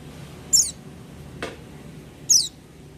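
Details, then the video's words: Oriental white-eye, said to sing readily without supplements: two brief, very high notes sliding downward, about two seconds apart, with a soft low click between them over quiet background hum. "pleci buka paruh tanpa doping gacor dor"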